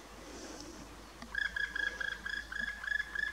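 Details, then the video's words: Black woodpecker giving a rapid run of about a dozen short, harsh, rolling notes, several per second, after a quiet start with faint background hiss. "Dzięcioł czarny głos"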